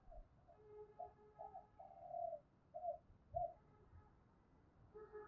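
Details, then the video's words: Spotted dove cooing in the urging and calling style: a faint series of short, evenly pitched coo notes spaced about half a second apart over a steady background hiss. "cu gáy thúc và gáy gọi/ cu gay kich boi nhanh noi gù"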